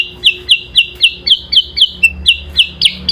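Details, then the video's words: Yellow-eyed babbler (kutilang sutra) singing hard in an adu kicau duel with an Oriental magpie-robin (kacer): a steady string of bright, high, downward-sliding chips, roughly four per second, with faint low background hum. "kutilang sutra SUPER GACOR vs Kacer adu kicau"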